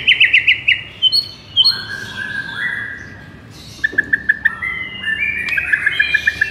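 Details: Shama song meant to stir sluggish birds: a fast series of bright chips, then long, smooth whistles that step up and down in pitch, and a second burst of rapid repeated notes, over a steady hissing background.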